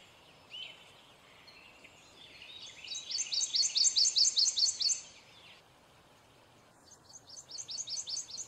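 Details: Male prothonotary warbler gives a few soft notes, then a loud run of about ten clear, ringing upslurred notes, followed after a pause by another repeated-note phrase.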